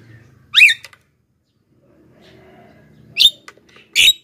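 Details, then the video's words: Black-winged myna singing hard, used as bait for wild birds and to train birds that sing little. A sharp upward-sweeping whistled note opens, then a pause with low background hum, then two loud rasping bursts. "masteran JALAK KEBO super gacor,pancingan untuk bahan dan jalak yg malas bunyi"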